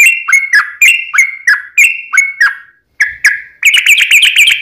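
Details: Sooty-headed bulbul's 'tarung' fighting song, a lure to stir other bulbuls into answering. Ringing whistles repeat about four per second, pause briefly, then resume as a denser, quicker chattering run.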